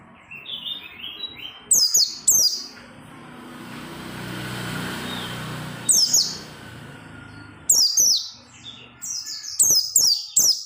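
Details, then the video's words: Energetic oriental white-eye song used to get other white-eyes singing. Clusters of piercing, high descending tweets come in short bursts separated by a few seconds of soft background hiss, building into rapid chirping at the close. "SUARA PELECI GACOR NGOTOT BIKIN PELECI LAIN RAJIN BUNYI BUKA PARUH"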